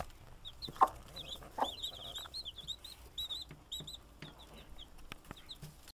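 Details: Hen watching over her chicks: a pair of low, soft clucks early on, followed by quieter, high, thin chick peeps in quick runs, with faint knocking noises in the background.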